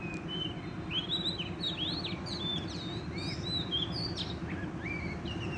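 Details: Wild Oriental magpie-robin singing vigorously during trapping: quick varied whistles and twittering slurs, fairly soft, over a steady low background drone.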